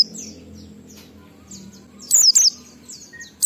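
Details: Oriental white-eye ngalas song with a 12345 beat, meant to lure kept birds to sing: soft high twitters, then a loud double burst of piercing, downslurred chirps near the end.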